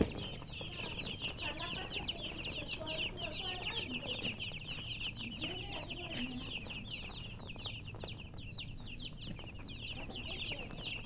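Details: Many baby chicks cheep without pause in dense overlapping high, short peeps, each a quick downward-then-upward slur; some lower clucking from an adult hen underneath and a steady low background hum.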